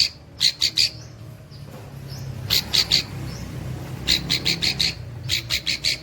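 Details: Long-tailed shrike imitating cililin calls in short clusters of three or four sharp high notes separated by pauses, over a faint low background hum.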